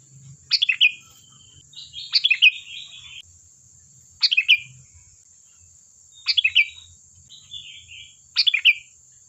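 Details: Sooty-headed bulbul song for luring birds to answer: five short chirpy phrases of tumbling notes about two seconds apart, with softer warbling notes between and a continuous faint high hiss.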